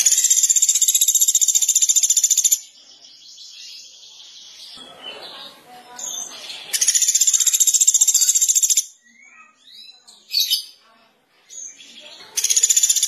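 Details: Velvet-fronted nuthatch giving repeated bursts of rapid, very high, evenly spaced trilled notes, each lasting about two seconds, separated by gaps with faint chirps, short downslurred notes and soft background noise.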